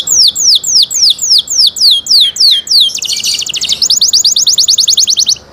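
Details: Canary singing a loud, high song: a run of repeated downward-sweeping whistled notes about four per second, then a fast buzzy trill, followed by a rapid rattling series of short notes.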